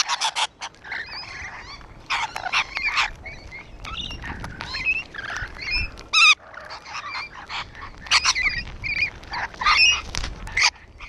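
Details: Rainbow lorikeets on a wall chatter continuously in harsh, screechy bursts and shrill squeals, several birds overlapping with barely a pause.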